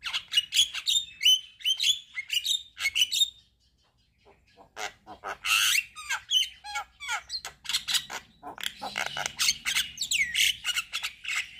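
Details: Javan myna in active head-bobbing song full of filler phrases: a fast burst of whistled chirps, a pause, then harsh rasps, clicks and buzzy upward-sweeping notes.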